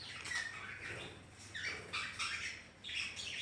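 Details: Budgerigars in an indoor home colony kept together with ring-necked parrots, chattering with scratchy chirps and short warbled squawks in uneven, overlapping bursts.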